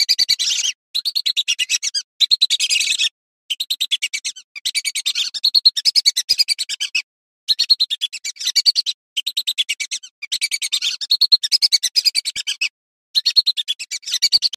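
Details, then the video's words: A female lesser whistling duck gives clear, fast, high, chattering whistles in one-to-two-second bursts, broken by short abrupt silences; Lesser whistling duck. "Burung Blibis betina saung_suara jernih"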